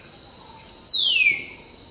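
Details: Hill myna at dawn, preening and singing in the morning chorus: one loud, clear whistle lasting nearly a second, gliding smoothly from high to lower pitch, against a faint steady background hum.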